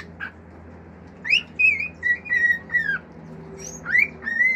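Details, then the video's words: Male cockatiel, a pet, singing natural songs: a few separate whistled notes, some rising and some level, spaced through the clip above a faint low hum. "CALOPSITA MACHO CANTANDO CANTOS NATURAIS, FIU-FIU, ESTALINHOS ENTRE OUTROS"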